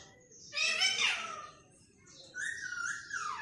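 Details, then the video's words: Pet green parrot mimicking human speech: one loud, rough, speech-like syllable, then a softer wavering whistled phrase that dips and rises, over a low indoor background hum. "طوطے کی خوبصورت بولیاں"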